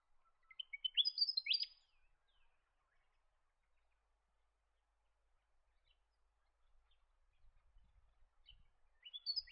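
A chestnut-crowned babbler gives a quick burst of sharp, high chattering notes lasting about a second and a half, then falls quiet before starting another burst.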